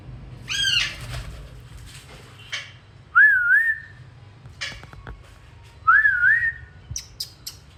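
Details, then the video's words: Parrot parents with two chicks, described as wild and kept at home, flying about; a brief high squawk opens, then two wavy undulating whistles about three seconds apart, with faint clicks and scratches. "Wild parrots flying and there beautiful sound"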